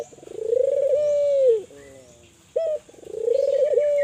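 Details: Spotted dove, Kelantan type, calling to stimulate other doves: a long purring coo that swells then falls, a low level trailing note, a sharp short note, and a second rising coo, over a soft steady hiss.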